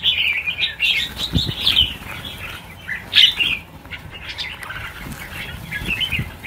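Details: Red-whiskered bulbuls in a release of a thousand birds give a busy stream of sharp chirps and short warbles, alongside flapping wings.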